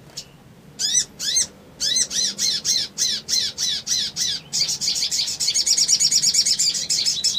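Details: Excited male crimson sunbird calling to provoke rivals: a long series of buzzy chip notes, three or so per second, quickening into a dense high rattling chatter toward the end.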